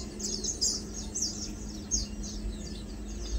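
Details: Lowland white-eye (Matang Dulong) giving quick, high-pitched chirps and tiny descending twitters in close succession, with a constant low hum underneath.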